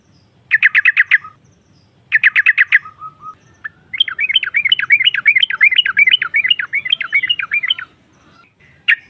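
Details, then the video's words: Female sooty-headed bulbul (trucukan) calling to provoke rival birds: two short bursts of quick chattering, then a long, continuous, jumbled run of fast, varied chirps, over faint low background rumble. "SEKALI PUTAR SEMUA TRUCUKAN NYAUT NGROPEL Seketika"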